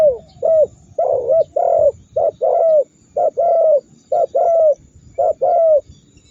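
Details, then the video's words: Spotted dove coos given to trigger rivals into calling back: a rapid run of paired short and long notes repeating about once a second, rounded and mid-pitched, with a faint hum beneath. "Masteran burung tekukur super dahsyat membuat lawan ikut gacor mendengkur ngamuk"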